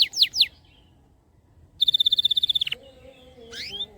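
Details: Canary song played to encourage silent canaries to sing: two sharp rising-falling chirps, a pause, a quick high buzzy trill, then a pair of upward sweeping notes over faint low tones.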